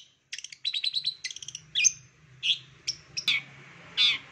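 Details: Long-tailed shrike master song used to get other shrikes singing: fast rattling chatter of clipped notes for about a second and a half, then scattered harsh squeaks and sharp chips, faint low hum behind.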